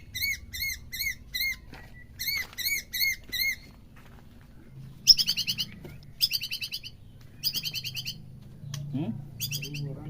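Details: White-rumped shama recording for stimulating a caged bird: quieter, evenly spaced bursts of repeated chevron-shaped notes with rich overtones, in several series, over a low rumbling background.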